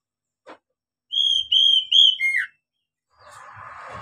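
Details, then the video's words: Oriental magpie-robin song used as a lure for young captive birds: three pure, level whistles followed by a quick descending note, then a soft rushing noise at the end. "SUARA KACER buat PANCINGAN KACER PEMULA agar cepat gacor"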